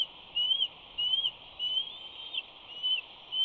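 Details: Bald eagle eaglet at Big Bear mantling and screeing as its parent arrives with prey on 25 May 2019. It gives a series of shrill, slurred, whistled screes, five in quick succession, with faint background noise.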